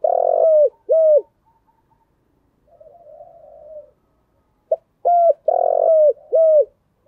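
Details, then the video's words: Decoy spotted dove performing thúc, gù and gáy gọi calls: two strong coos, a pause, a low soft murmur, then a quick burst of four loud, even coos with a falling finish. "Chim cu gáy chơi đủ bài thúc gù gáy gọi"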